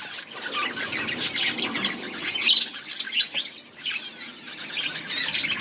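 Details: A colony of budgerigars chatters while eating, producing continuous high, busy chirping and warbling from many birds at once, with brief louder squeaks.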